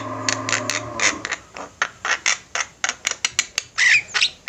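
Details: Javan mynas in a flock, lively and singing, recorded as a master track for training birds: harsh, buzzy squawks fired in a steady run, about three each second, growing brighter and rougher toward the end.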